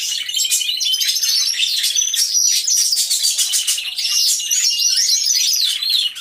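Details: Aviary of canaries all singing, real sound from a hidden camera: an unbroken, loud tangle of high trills, rattles and sweeping whistles from many birds throughout.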